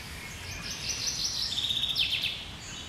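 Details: Common chaffinch singing high in the tree canopy, 1 July 2020; a bright rapid trill of repeated high notes runs for about a second and a half, closing with a brief descending flourish, faint rumble beneath.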